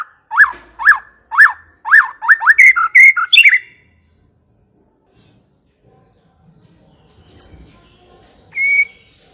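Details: White-rumped shama song serving as a lure for shamas that have not yet sung: a run of repeated downslurred whistles speeding into a trill, then silence with two faint high notes.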